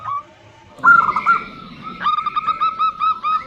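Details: Female zebra dove calling the male: a loud, ringing burst of notes is followed after a pause by a rapid, regular series of short coos with a faint murmur beneath.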